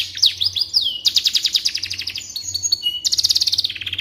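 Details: Singing canary, recorded as tutor audio for magpie robins, opens with looping whistled sweeps before fast chopped trills of repeated notes, switching pitch between phrases without pause.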